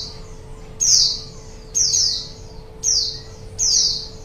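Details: Lure recording of white-eye song for trapping wild birds: four sharp, high descending chirped notes spaced roughly a second apart, a faint hum steady underneath.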